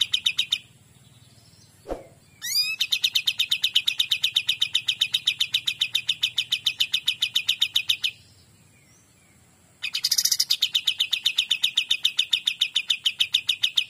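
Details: Kapas tembak singing in full, lively form; long bursts of rapid, evenly repeated high chattering notes, about three to four per second, separated by a short pause and a brief sharp call.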